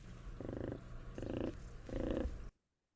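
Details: Adult Whooping Crane's purr, a comforting call made to its chick and rarely heard in the wild: soft, low purring in three short bursts about every three-quarters of a second over a steady background hum.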